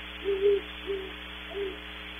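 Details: Very distant great horned owls at Audubon Starr Ranch, California, in a heavily processed, distorted recording: three low, soft hoots, the first longest, over steady electrical hum.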